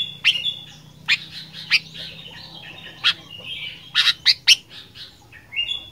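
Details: Sooty-headed bulbul singing in an energetic fighter style: sharp, high chirps in quick pairs and clusters, joined by short level whistles, with a faint low hum underneath.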